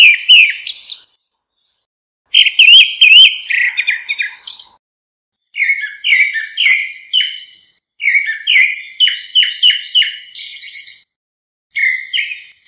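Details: Grey-backed thrush giving its flock-calling notes, free of other noise: several bursts of varied whistles, buzzy twitters and sharp chirps, each burst lasting a few seconds and separated by short gaps.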